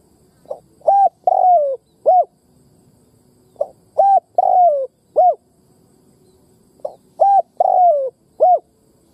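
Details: Decoy spotted dove calling to stir up wild birds: three phrases, each a quick soft note, a hollow coo, a longer falling coo and a final coo, repeated about every three seconds.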